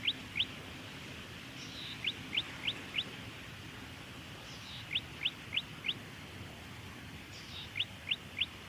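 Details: Golden-headed cisticola in Victoria, Australia, October 2020: a soft buzz, then three or four sharp, high, upward-flicked notes, the phrase recurring about every three seconds over a steady background hiss.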